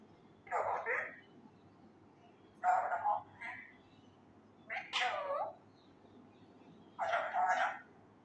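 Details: Indian ringneck parakeet, a raw male, trying to learn words like "kia bol rha ho me": four paired, two-part speech-like phrases in a hoarse voice, roughly every two seconds.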